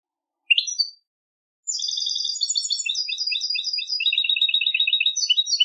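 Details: Goldfinch contest singing: one sharp chirp, a pause, then a long rapid stream of high, bright twitters and repeated trilled notes, tinkling and slightly buzzy.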